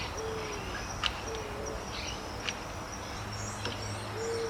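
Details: Eared Dove (Zenaida auriculata) in central Argentina, an abundant species that forms large flocks, giving soft, low hooting coos in a few spaced notes over a thin high insect hiss, occasional sharp clicks and low background rumble.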